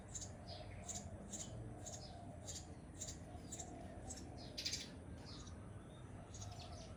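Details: Eurasian tree sparrow nestling begging from a nest sheltered behind a bamboo blind on a house in Bali during the rainy season, late October to early November; thin high chirps repeated in quick series over steady low background hum.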